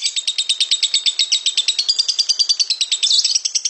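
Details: Lovebird in full 'ngekek' song: a fast, harsh, high chatter of evenly spaced rasping notes, roughly eight per second, continuing without pause, with a brief squeal near the end.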